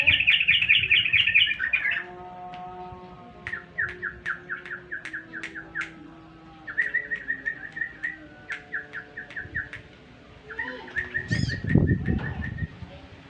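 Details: Yellow-vented bulbul song played as a lure so birds will answer: an opening rich warbling phrase, then several runs of fast, evenly spaced chirps with short pauses, ending in a louder jumbled burst.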